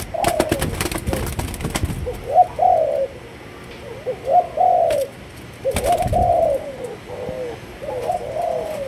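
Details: Spotted dove of Malaysian lines repeats low, rounded coo phrases about every two seconds. Rattling clatter precedes the phrases and one loud click interrupts them.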